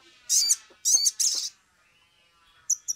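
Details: Sumatran leafbird in agitated, energetic full song, used as a lure so other birds start singing quickly: three loud harsh scratchy bursts in quick succession, then a pause and two short high sharp notes.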